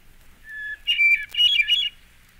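A Hermit Thrush sings a long, pure whistled opening note, then a quick, ringing flurry of higher flute-like notes that tumble and shimmer.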